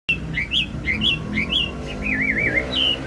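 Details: Wambi giving a lively lure song meant to get other birds singing: fast whistled notes around mid-high pitch, rising and falling with wavy trills near the end, over a low background hum.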